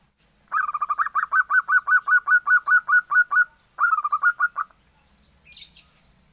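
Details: Young zebra dove giving a run of rapid, evenly spaced, slightly down-slurred notes, about five a second, likened to a duckling's voice; a short pause, then another brief burst, and a faint rustle at the end.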